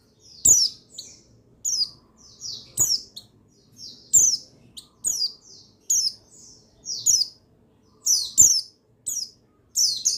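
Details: Buxtoni white-eye male, recording dated 8/8/21, used to prompt other white-eyes to sing: a long run of high twittering chirps, each slurring downward, coming about once a second, with occasional sharp taps.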